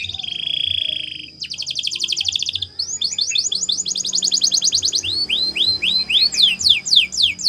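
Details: Canary in training song opens with a steady low buzzy trill, moves to a fast pulsing roll, then a run of rising-falling chirps that slow into loud, widely spaced downward whistles.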